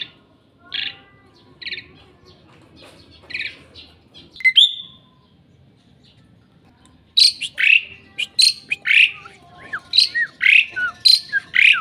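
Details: Captive Asian pied starling (jalak suren) at a house giving loud, varied whistles and harsh chattering, softer at first, then rapid squealing phrases about twice a second; a very noisy bird that calls at dawn.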